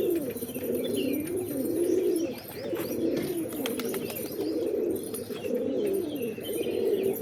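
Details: Pigeons keep up a continuous low cooing, rolling phrases swelling in waves roughly once a second, several birds calling over one another.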